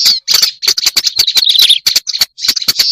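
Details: Black-browed reed warbler lure sound: a burst of grating, buzzy chatter with hard clicks, a descending slurred phrase in the middle, then a brief pause before the chatter resumes.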